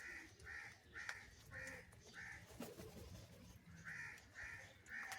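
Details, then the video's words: Crow calling for food, here cheese, during feeding: a steady series of short, hoarse, nasal caws, roughly eight in five seconds with brief pauses between, over a low background hum. "Different Crow Sounds and Calling for Cheese"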